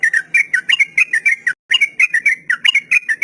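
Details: Sooty-headed bulbul singing a long 'ropel panjang' phrase meant for training novice, untamed captive birds: quick chain of sharp whistled notes, brief silent break halfway, then the rapid whistling resumes.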